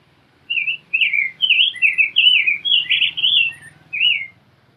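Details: Rose-breasted grosbeak pouring out a melodious phrase of slurred, robin-like whistles, about nine notes over four seconds, ending with one detached note, against a faint low hum.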